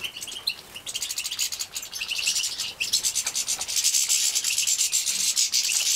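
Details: Captive-bred juvenile European goldfinches being fed, Poland 2017. Scattered thin chirps build into an intense, continuous, high rasping chatter that grows louder toward the end.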